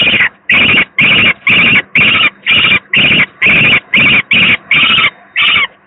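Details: Peregrine falcon at the PGE power plant in Gdynia, 18 May 2023, when the second young bird was very unwell, gives loud, harsh, rasping screams, about two per second in a steady run of a dozen calls.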